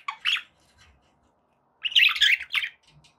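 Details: A short, harsh squawk from pet budgerigars, then a longer, noisy burst of scratchy chattering notes after a brief quiet gap.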